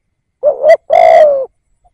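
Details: One phrase from a spotted dove decoy used to lure wild doves: a quick rising double coo, a short gap, then a long steady burry coo trailing off.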